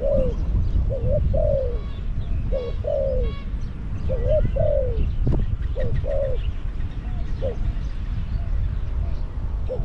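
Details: At Song Phi Nong, a caged decoy Spotted dove coos to attract wild doves. Short two-part coos, a clipped note then a drawn-out descending one, recur several times. Steady low noise and faint chirping fill the background.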